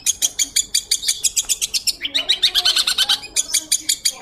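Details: Long-tailed Shrike singing vigorously with a clear voice, used to tutor magpie-robins: steady pulsed rattles of bright high notes, broken by a harsher, downward-sliding buzzy trill in the middle.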